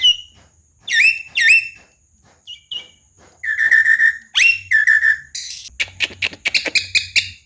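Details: Javan myna chattering song in the mblegedeg style, used as a lure to get non-singing mynas going: rising whistled notes with sharp upsweeps, buzzy slurred phrases, then a quick burst of rattling, clicking notes.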